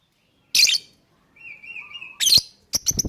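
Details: Lovebird chirping in a lure recording to prompt other birds to sing: two loud, harsh chirps separated by a thin, steady whistle, ending in a rapid stuttering chatter.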